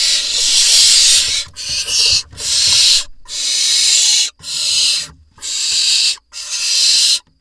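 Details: Barn owl nest box in Israel, 4 July 2021, with parents delivering voles to their nestlings. Loud, rasping hiss-like screeches of about one second each come in a steady series of seven bursts separated by brief silences.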